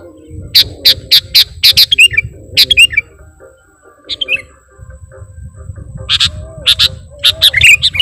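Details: Sooty-headed bulbul calls meant to attract wild bulbuls: sharp chirps in a quick series, a few slurred notes, a quieter gap in the middle, then more chirps and a wavering whistle, over low background noise.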